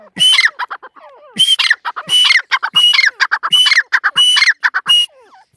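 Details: Female partridge giving loud, harsh, rhythmic calls: five strong grating bursts about once a second, each with a bright ringing note and trailed by quieter scratchy syllables.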